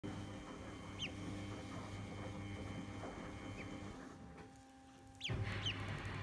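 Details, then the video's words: A call duck duckling gives a few thin, high peeps spaced a second or two apart over a steady electrical hum and low room rumble. "Cute baby call duck"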